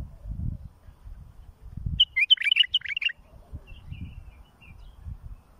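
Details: Bulbul song for teaching young birds: one hurried phrase of bright, jumbled whistled notes lasting about a second, then a few softer trailing chirps. Low thudding rumble before and after.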